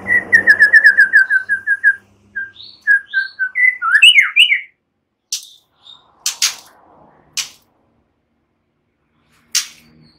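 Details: White-rumped shama in relaxed song that slips into cililin and ciblek phrases, used to prompt other songbirds: a fast run of clear whistled notes near 2k descending in steps, then rising slurred whistles, sparse sharp chips afterward.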